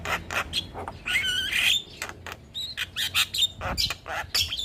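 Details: Javan myna song used as a master recording to train other mynas, with chattering squawks, harsh buzzy bursts and sharp whistled notes in quick irregular succession, plus a faint low hum.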